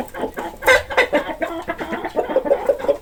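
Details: Chicken clucking in a rapid, uneven series of short, throaty notes, several per second, with a couple of louder, sharper clucks near the start; no other sounds stand out.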